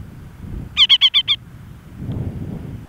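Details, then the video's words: Reischek's parakeet calling on Antipodes Island, New Zealand, giving one quick run of five clipped, ringing chatter notes amid a low background rumble of wind or sea. "Reischek's Parakeet - Antipodes Island NZ"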